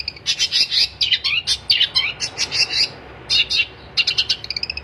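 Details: Long-tailed shrike in full, lively song, played as a tutor for shrikes that have stopped singing: quick runs of high, harsh chirps and warbled notes in irregular bursts with a short pause, over faint background hiss.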